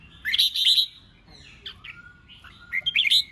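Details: Red-whiskered bulbul 'ché chét' contest singing: a dense burst of bright warbling, a long thin falling whistle, then another quick chirpy flourish.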